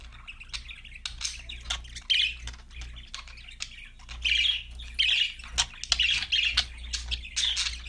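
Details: Pet parakeets chirping happily: scratchy, buzzy squawks and quick clicking chatter, louder bursts arriving every second or so in the second half, over a faint low hum.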